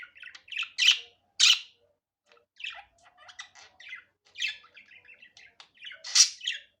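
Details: Natural unedited budgerigar chatter: loud sharp chirps mixed with softer clicking, ticking notes and twittering, high-pitched and irregular with short gaps.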